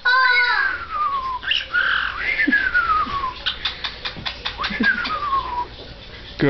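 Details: Pet parrot with its owner indoors, opening with a harmonic squawk, then several long whistles that rise and glide slowly downward, broken by short clicks and chatter, with faint background hum.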